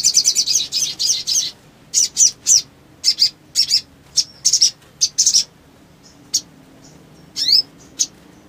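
Crimson Sunbird giving very high, rapid twittering bursts in short phrases about a second apart, then a few thin notes and a quick rising sweep.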